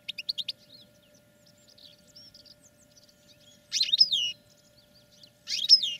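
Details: European goldfinch singing in a cage for training, a few soft chirps at the start, then two loud buzzy twittering bursts about two seconds apart, with a low constant hum.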